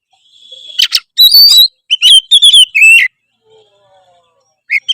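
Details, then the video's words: Oriental magpie-robin (kacer) in full energetic 'gacor' song: loud bursts of sharp whistles and rapid chirps, mostly high-pitched, with a brief buzzy phrase and quiet gaps between bursts. "kacer apasana pasti respon denger suara kacer gacor satu ini"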